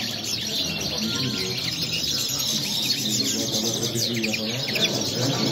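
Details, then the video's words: Goldfinch singing a rapid, twittering run of high chirps, short buzzy notes and trills that continue without a break, set against a steady low rumble and hum of background noise. "Jilguero corona la5"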